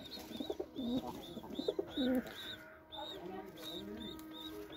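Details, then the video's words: White Indian fantail (Lokkha) pigeon cooing: low throaty rolling coos in short bursts over the first two seconds, with steady high chirps of other small birds repeating throughout and faint background music. "White Beautiful Lokkha pigeon | Indian white Lokkha | Pigeon Sound"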